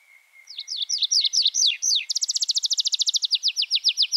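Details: Tree Pipit in song: a quiet steady tone, then a series of sharp zigzag notes, breaking into a fast, even trill of high chipping notes that slows slightly toward the end.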